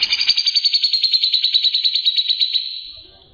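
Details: Grey-cheeked bulbul delivering a quick level trill of bright, buzzy notes at an even pace, gradually softening and trailing off after about two and a half seconds.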